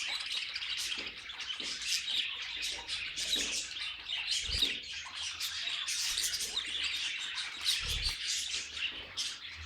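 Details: Pet budgies singing together: a dense, continuous warbling chatter of squeaky chirps and trills, with a couple of dull low thumps near the middle and end.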